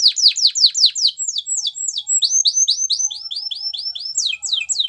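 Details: Singing canary delivering fast tours of sharp downward-slurred notes, shifting into smoother rising-falling whistles and back to rapid descending chirps, with a faint low whistle underneath.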